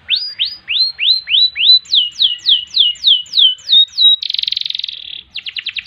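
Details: Canary in full song with ngerek, ngerol and nembak styles, meant as a tutor recording: a run of rising whistled sweeps, then a series of sharp falling notes, a buzzy rolling trill of about one second, and quick chips at the end.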